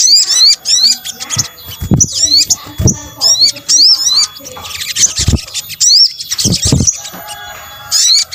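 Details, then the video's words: Sunbird (sogok ontong) calls combined for luring birds, a string of high rising whistles and chattering chirps repeated in bursts, broken by low knocking sounds. "PANCINGAN SOGON BUNYI AMPUH | kombinasi suara sogok ontong"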